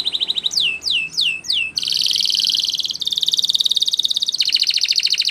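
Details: Spanish Timbrado canary singing a training song: a short run of curved, descending swoops, then long, loud, dense rolling trills at high pitch, changing tempo from one tour to the next, over a low background hiss.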